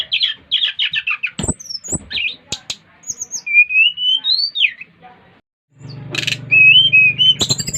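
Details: Bali brown-chested jungle flycatcher in full song, stirring others to join: fast repeated chirps, a rising slurred whistle phrase, a brief pause, then whistles over a low hum.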